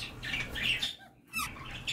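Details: A female kakariki gives harsh, scratchy, high, grating squawks in two bursts about a second apart in a quiet indoor room while showing courtship behaviour toward her owner.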